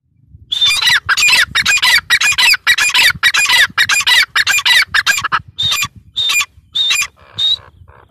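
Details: Partridge (teetar, dakhni teetar) calling: loud, harsh, grating notes repeated in quick bursts about twice a second, then a few shriller, more widely spaced notes near the end, over a faint low background rumble.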